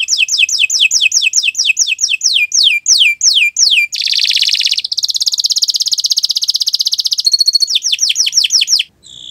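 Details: Canary in long, sustained song for training other birds: a series of clear downward-sweeping whistled notes, then a dense fast buzzy trill, a brief clipped phrase and more downslurred notes.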